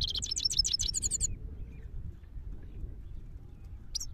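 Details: Parachinar Himalayan goldfinch delivers a rapid one-second run of high, tinkling twitters, then falls silent before one final short note, with faint low background noise.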